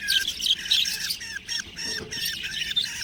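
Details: Budgerigar chicks chattering in a rapid run of high chirps and short downward-slurred notes, about three per second, irregular and overlapping.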